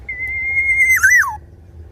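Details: Tame black-naped oriole giving a clear fluted whistle, held steady on one pitch, then breaking into a quick warbled twist that slides downward; low background hum.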